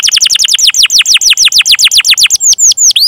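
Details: Canary singing long and steadily as a training lure for young or silent canaries: a fast run of steeply falling whistled chirps, about six per second, ending with a few slower, higher sweeping notes.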